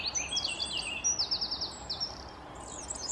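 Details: European serin (Serinus serinus) giving a quick string of sharp, high, slurred notes, with a run of about six fast, evenly spaced chirps in the middle, over a faint steady hiss.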